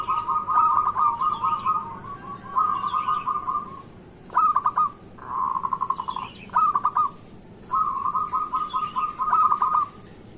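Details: Morning lure song of a local zebra dove, used to coax quiet zebra doves into calling: rapid bubbling coo trills in separate phrases, one smoother purring roll in the middle, with faint higher chirps from other birds behind.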